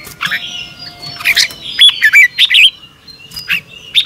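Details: Red-whiskered bulbul morning song, fast and fired-up in the double-twisting style used for training birds. Scattered rough notes lead into a lively cluster of twisting whistles, with a faint steady tone behind.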